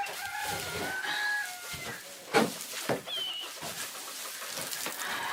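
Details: On a homestead, roosters crow in the background during the cleaning of a quail enclosure: a drawn-out harmonic call that rises and falls, with knocks nearby.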